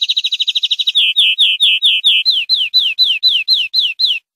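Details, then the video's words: Clean greenfinch tutor song for educating captive birds: a brief rapid trill changes into a steady run of about fifteen slurred notes that fall in pitch, repeated roughly every quarter second. No background noise. "Nuevo CD limpio para educar verderones"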